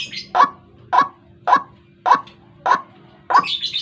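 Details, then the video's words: Morning lure call of a White-breasted waterhen, used for trapping: six rough, abrupt croaks spaced roughly half a second apart, a higher squeaky chatter at the end, and a low constant hum. "Suara pikat burung ruak ruak"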